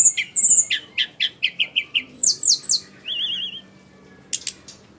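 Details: Sikatan rimba flycatcher song: a rhythmic string of sharp chip notes dropping in pitch, then slurred descending whistles, a brief warbled trill, and a few final high ticks.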